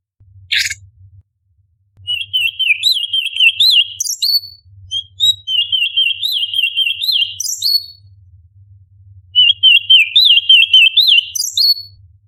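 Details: Orange-bellied leafbird, a tutor recording for contest birds, delivering long rapid phrases of high wavering, bubbling warbles in three bursts separated by short pauses, after one sharp opening note.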